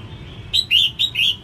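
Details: Female red-whiskered bulbul singing to rouse males: four quick notes, short higher chirps alternating with longer lower slurred whistles, over a faint low hum.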